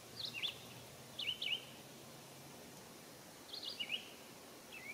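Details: American robin, a regular birdbath visitor, singing while bathing on a warm summer day in 2022; clear caroling phrases of two or three slurred whistled notes, pitched up and down, separated by short pauses.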